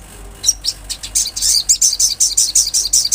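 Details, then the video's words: Olive-backed sunbird singing in the wild: a rapid, uneven run of high, thin, buzzy chirps that starts hesitantly and then repeats almost twice a second over a quiet background. "Sogon gacor suara Asli Alam"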